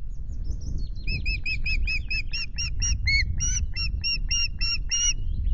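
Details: Osprey pair changing over on their two eggs at Loch Garten, Scotland, on 10 May: after a few faint thin notes, a long regular series of about seventeen clear, piping whistled calls, all against continuous low wind rumble.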